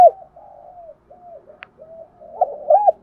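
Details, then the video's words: Spotted dove decoy coos for training young birds: mostly soft, low, drawn-out murmured coos, ending in two louder arched notes, with one faint click partway. "Tiếng chim cu gáy kích bổi nhanh nổi hiệu quả, cu gáy mồi luyện bổi nhanh gáy và hay nhất"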